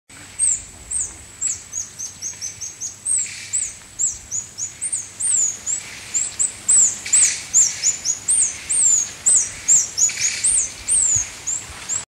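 A reddish hermit gives a rapid, continuous series of very high, thin squeaky notes, each a quick downward slur, over a faint low background hum.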